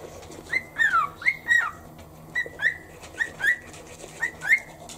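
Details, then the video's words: A cockatiel sitting on a shoulder in the morning whistles along to the rhythm of toothbrushing. It gives short, clear swooping and bending notes, often in pairs, about two a second, over a steady scrubbing sound. It likes whistling and the shoulder's vibration. "歯磨き中のリズムにノリノリのオカメインコ Cockatiel sings to the rhythm in toothpaste."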